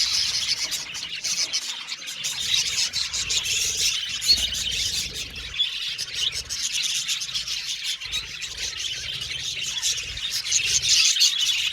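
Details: Long stretch of budgerigar colony chatter in an aviary: high, busy chirps and warbles overlapping throughout, with slight lulls and a louder burst near the end.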